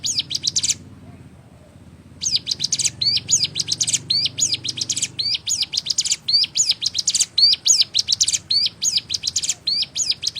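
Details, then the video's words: High, tinkling song of a Sunda warbler, featured in a songbird tutor recording of several song variants: a short burst, a brief gap, then a long, steady series of rapid chirped phrases with swooping notes. "Ciblek Gunung (CIGUN) Masteran Burung Bahan -- 6 VARIAN SUARA YG BELUM KAMU KETAHUI"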